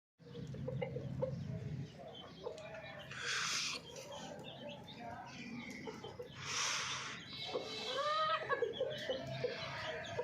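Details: Domestic hens in the morning, giving repeated clucks and short calls over a busy farmyard background with brief bursts of noise.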